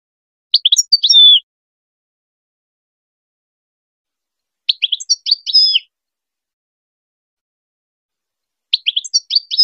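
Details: Goldfinch song used as a tutor recording for hybrid chicks: three short, bright twittering phrases of high, rapid, buzzy and whistled notes, about four seconds apart, with clean silence between them.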